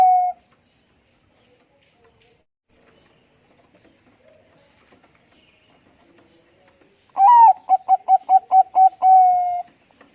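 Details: A brief coo tail is followed by several seconds of near silence with faint background sounds. Then a Bangkok zebra dove answers with a rising note, six rapid coos and a long drawn final tone.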